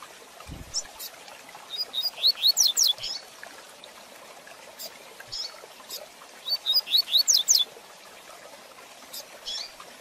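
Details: A captive double-collared seedeater sings a fast "tui tui zel zel" training song: two quick bursts of high, bright whistled notes, each a rapid run of sharp slurred chips, repeated after about four seconds.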